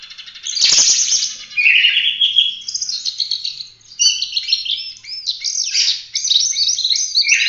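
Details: Continuous energetic song of an Oriental magpie-robin used for training other birds, packed with scratchy chatter, buzzy trills and sharp high chirps with only tiny breaks.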